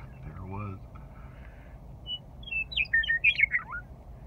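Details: {'caption': 'Western meadowlark returning in spring to Rocky Mountain Arsenal National Wildlife Refuge, perched close to a vehicle on the wildlife loop drive: a short burst of fluty, tumbling notes ending in a downslurred whistle over low engine rumble.'}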